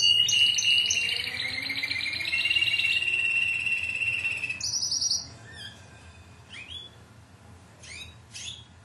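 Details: Timbrado canary, Greek club team 2009, singing a loud rolling trill that steps down in pitch, a brief high roll, then falls quiet with only faint scattered chirps afterwards.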